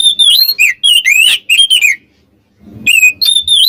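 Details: Oriental magpie-robin song meant to rile rival birds: bright whistled notes sliding up and down in quick bursts, a two-second silence with a soft low rustle, then renewed sharp whistles.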